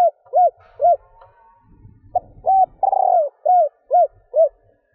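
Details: Female spotted dove cooing to excite males: two arched trailing coos end one phrase, then a full phrase follows with a quick note, a smooth coo, a stuttered long note and three arched coos. Faint rustling comes between the phrases.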